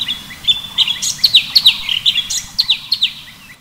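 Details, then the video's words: Sooty-headed bulbul, known locally as cucak cungkok, heard near a waterfall: a rapid series of sharp, clear chirping notes, several per second, lively and uneven, over a soft steady background hiss. "Suara Burung Cucak Cungkok"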